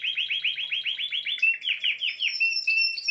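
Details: Song of a Spanish timbrado canary: a quick series of repeated, downward-slurred metallic notes running into level whistled tones, continuous and evenly paced.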